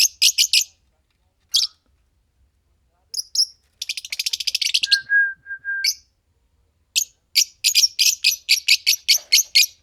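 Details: Green Fischer's lovebird pair singing and chirping: bursts of rapid, high, scratchy chirps in short trains, a sustained buzzy chatter around four seconds, a brief steady whistled note near five seconds, then regular sharp chirps repeating about every third of a second.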